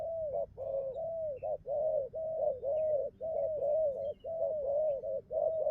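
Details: Spotted dove, a wild-caught young bird that has just come into song, giving a rapid, nearly continuous string of low, round coos, each short lead note followed by a longer arched one.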